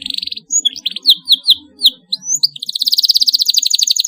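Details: Canary call sequence played to teach young birds to sing: choppy high notes and bright downward-swept whistles give way to a long, dense, rapid trill of repeated chirps.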